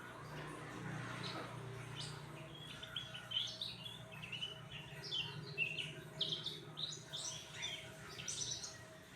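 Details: Cucak ranting, given crickets and sunbathed, delivers a string of sharp high chirps and short whistled notes in quick succession over a steady low hum.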